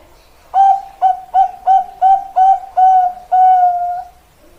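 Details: Bangkok-type zebra dove cooing loudly and close: a series of eight clear, mellow, evenly pitched notes, the first seven short and quick, the last drawn out and steady, in a quiet room.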